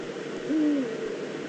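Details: A single faint, low, level hoot of a Eurasian eagle-owl, probably female, calling from the nest scrape in the Eifel, September 2014, against steady background noise.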